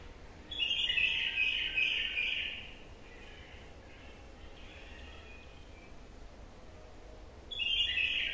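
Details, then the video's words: Wild-caught bulbul, newly trained and kept caged, delivering a bright, warbling phrase of about two seconds, then quiet hiss for several seconds before the next phrase begins. "بلبل وحشي جديد واحلى نغمات تسمعه"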